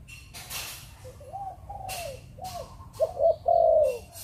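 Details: Soft sliding coos from a distant spotted dove, then a loud close phrase of quick double notes and a long coo from a Malaysian-bred bird in Chụp Chụp Ô style, among scattered clicks and rustling.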